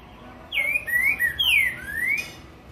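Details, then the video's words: A green-winged saltator sings the curricutil boi style: four bright whistled notes in a row, the first falling, then a level note, a long downslur and a final rising whistle, over a quiet background. "Trinca ferro Curricutil Boi"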